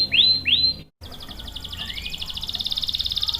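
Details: Canary song for luring and training young or stalled males: two loud swooping whistles, a short gap, then a long rapid buzzy trill with a faint rising slur inside it.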